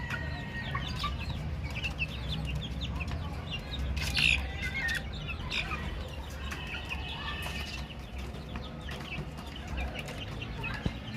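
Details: Young chickens peeping together, a dense chorus of brief high chirps and downward-slurred notes, with a few louder peeps and occasional soft fluttering over constant low-pitched background noise.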